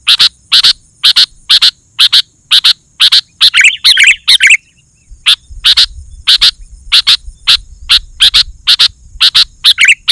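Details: Sooty-headed bulbul singing persistently, played to lure wild bulbuls: a steady series of sharp chirps about twice a second, with a bubbling warbled burst in the middle and a soft rumble behind.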